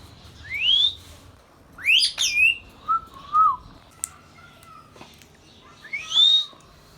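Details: Indian ringneck parrot kept as a pet, giving rising whistles and a harsh twisting squawk, a pair of short level whistles, and a final upward-sliding whistle, with quiet room noise between.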